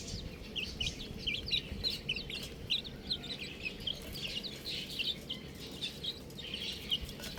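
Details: Young buff chicks give a busy stream of thin, high, down-slurred peeps, several birds calling at once with little other noise.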